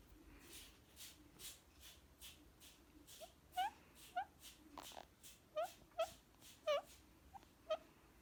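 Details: Pet male Indian ringneck parakeet indoors, enjoying cuddles and petting while feisty and biting, making relaxed purring sounds: rustling clicks at first, then short soft chirping notes repeated roughly every half second, some doubled.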